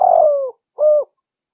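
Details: The tail of a long, gently falling dove coo, followed by a brief pause and one shorter, even hollow coo, with a quiet background.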